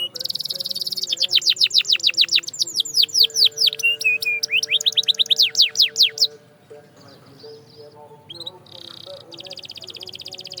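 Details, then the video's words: Canary song for training: a buzzy opening, then a rapid run of descending whistled sweeps and a lower rolling trill, fading into softer high buzzy notes and quiet pauses. "The Canary Sound That Works Wonders"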